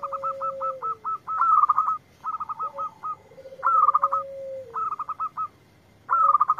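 Zebra dove song: bursts of quick, stuttering soft coos that run into a rolling trill, repeated every couple of seconds, with a lower drawn-out whistled note between.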